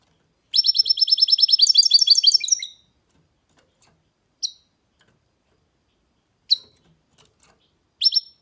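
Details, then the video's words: Goldfinch mule (hybrid) starts with a fast, bright trill of repeated high notes lasting about two seconds, turning more varied at its end, followed by spaced single sharp chirps. "Goldfinch mule’s (hybrid) singing"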